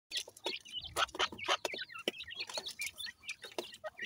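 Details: Iranian francolin chicks feeding and fighting their mother: rapid high peeping and chirping from several young birds, mixed with sharp taps and pecking noises.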